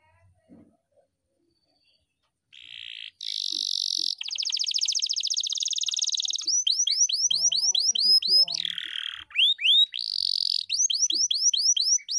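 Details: Canary singing a long roll: a short buzzy note, then a long rapid trill, followed by repeated rising whistled sweeps broken by a buzzy phrase, continuing steadily without pause.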